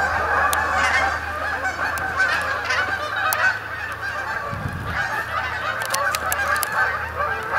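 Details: Canada geese arriving at dusk on the Sapsucker Woods main pond, Ithaca, New York, to spend the night; chorus of honks, briefly thinning midway, plus a low rumble and a short splash-like sound.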